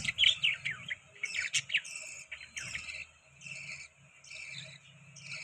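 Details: Several pet budgerigars chirping while eating soft food; rapid bright warbling chirps and chatter in bursts, loudest in the first two seconds, then quieter intermittent twittering with a low steady hum underneath.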